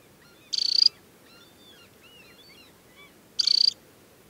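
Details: Adult Temminck's stint in summer plumage, wearing leg bands, at Tinnhølen lake on the Hardangervidda mountain plateau, Norway, in early July. Two short, high, rapid buzzy trills about three seconds apart, with faint thin calls between them.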